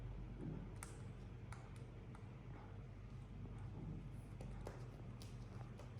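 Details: Faint indoor noises: soft footsteps, occasional taps and a little distant speech over a low hum.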